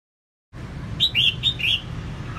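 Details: Female red-whiskered bulbul singing to stimulate males: a short phrase of four loud, liquid whistled notes, rising and falling, with low background hum.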